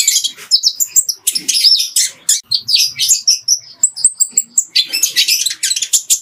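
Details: Sunbird song for training other birds, mixed with house-sparrow fighting chatter: rapid, high twittering of sharp chirps and thin trills in dense bursts, with scrappy sparrow-like chatter.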